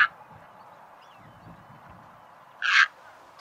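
An egret gives a single harsh, croaking squawk lasting about a quarter second, after a brief clipped note at the start; otherwise only faint background hiss.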